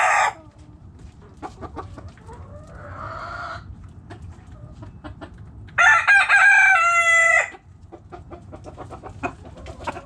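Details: Backyard hens and roosters: scattered short clucks and clicks throughout, a brief murmuring cluck near three seconds, and a loud, harsh rooster crow of about two seconds with a wavering, strained tail in the middle.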